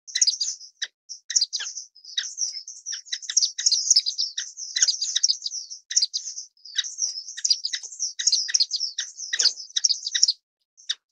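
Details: Orange-cheeked Waxbill (Estrilda melpoda) keeping up lively, high-pitched twittering for about ten seconds, chirps tumbling over one another, ending with a lone tweet after a gap.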